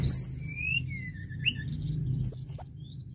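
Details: Sunda robin singing: a high chirp, then several drawn-out whistles sliding up and down, a pause, and two thin piercing notes near the end, with a low hum throughout.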